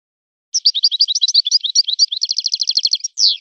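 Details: European goldfinch singing in a style modelled on a particular breeder's birds: a rapid, continuous twitter of high, buzzy, slurred notes speeding into an even trill, ending in a separate descending note, with no other sounds.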